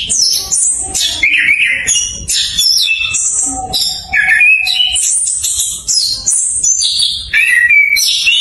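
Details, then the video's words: Orange-headed thrush song played as a lure to prompt silent captive thrushes to sing: a dense, unbroken run of high, varied whistled and buzzy phrases that shift pitch quickly, with a faint steady lower tone beneath. "PANCINGAN ANIS KEMBANG BELAJAR NGEPLONG COCOK UNTUK PANCINGAN ANIS KEMBANG MACET"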